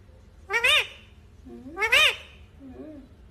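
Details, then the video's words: Talking green ringneck parakeet uttering two loud, harmonic, voice-like syllables that rise and fall, about a second apart, then a quiet trailing murmur. "Natural Sound of Talking Ringneck green parrot"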